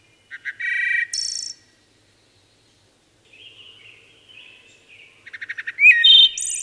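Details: Singing wood thrush: a short phrase of stuttered notes and a high trill, a gap, soft murmured notes, then a louder phrase of rapid pulses, a rising whistle and a ringing trill.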